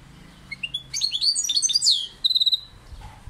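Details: European goldfinch song: a quick twittering burst of sharp, high chirps and short slurred trills, followed by a clipped run of about six evenly spaced notes, then a faint lower note; background otherwise quiet.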